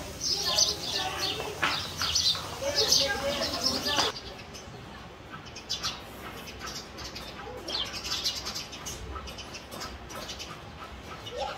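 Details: House sparrow nest fight in a house; loud chattering chirps for the first few seconds, an abrupt drop, then scattered quieter chirps returning later.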